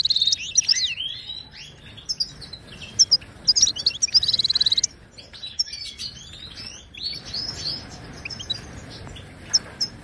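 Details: Song of a Moroccan goldfinch, used to teach and stimulate caged birds: rapid liquid twitters and buzzy bursts in the first half, then a quieter stretch of scattered tinkling notes.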